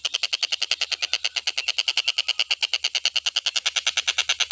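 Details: Stork-billed kingfisher in a long tutor recording for songbird training. It gives an unbroken, rapid series of dry, rasping notes, roughly three per second, steady in pitch and loudness throughout.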